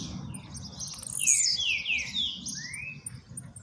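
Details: Blue-black grassquit, a new captive bird coming out of moult, giving short buzzy sliding notes and high rasping trills with falling and rising sweeps, over low background rumble.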